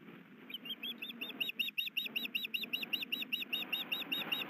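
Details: Osprey at a nest in Hellgate Canyon, Missoula, Montana, with the male bringing fish and the female brooding; rapid high chirps repeated about two or three times per second, growing steadier, over low background rumble.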